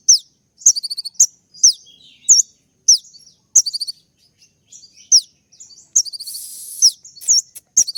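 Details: Kolibri ninja sunbird song, a sharp fast recording played to make kept birds respond; piercing high slurred whistles with stuttering trilled runs, about two phrases a second, a brief hissy burst near the end.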